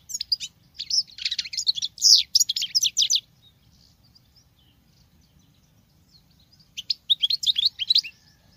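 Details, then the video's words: Caged female European goldfinch singing in the manner of a male: a three-second run of quick liquid twitters and buzzy trills, then near silence, then a shorter twittering phrase at the end. "Femelle chardonneret qui chante que le mâle l c'est bizarre !!!"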